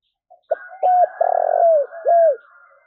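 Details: Spotted dove cooing to rouse newly caught doves into bold, frequent calling: a short note, a clear coo, a long vibrating downward-sliding purr and a closing rounded coo. A second dove hums softly beneath.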